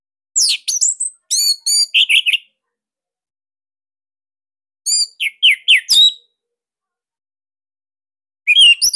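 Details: Orange-headed thrush of the Bali type, kept as a cage bird, singing loud tight phrases used as a training master; short clusters of quick chirps and slurred whistles separated by several seconds of silence.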